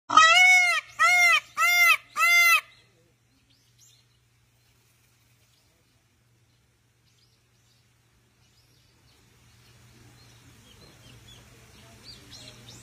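A peacock gives four loud, nasal, wailing cries in quick succession, each rising then falling. Then near silence, with faint background rustle at the end.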